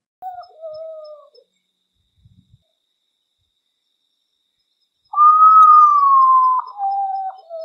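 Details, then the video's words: Common potoo (urutau) singing at midnight gives mournful, drawn-out whistles sliding gently downward, one short phrase and then a longer, louder one after a pause. "SOUND OF URUTAU AT MID NIGHT GHOST BIRD FROM THE SINGING SCARY SINGING OF URUTAU"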